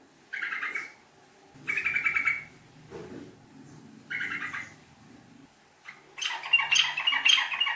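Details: Sooty-headed bulbul lure song in the long, rapid chattering 'ngekek' form. Three bubbly chattering bursts of fast repeated notes recur every two seconds, followed by a harsher, louder, noisy scolding burst.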